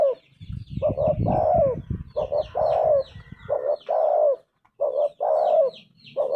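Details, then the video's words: Spotted dove delivering rhythmic coo phrases, two clipped notes then a sliding longer coo, repeated steadily. Low rumbling noise early on and high twitters from other small birds. "Tekukur gacor suara emas"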